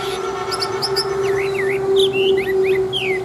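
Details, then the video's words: Chinese hwamei, a big old wild-caught fighting bird with a fine wild voice, kept caged, giving short looping and downslurred whistled notes in quick succession over a constant low electrical hum. "Họa Mi Bộ To, Chim Già Rừng Chất Giọng Rừng Rất Hay"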